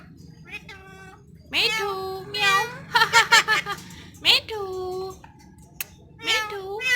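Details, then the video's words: Pet green Indian ringneck parrot talking indoors: a run of nasal, voice-like syllables with strong harmonics, some rising and some held, broken by brief clicks and short pauses, in a small room. "Talking parrot/green ringneck"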